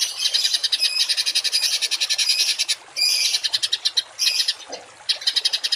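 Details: Rasping rapid-fire songbird phrases, 'tembakan kasar', on a masteran for household and contest birds: extended dense buzzy trills broken by short gaps, ending in a run of separate sharp notes.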